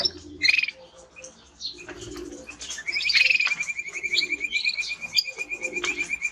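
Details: Male timbrado canary: a few high chirps, then a steady, even metallic trill held for several seconds, with faint twitters above it.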